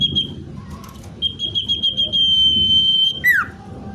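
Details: Common iora, natural song for attracting wild birds: a sustained high whistled trill holding one pitch for about two seconds, ending in a quick downward-sliding whistle, over a low background hum.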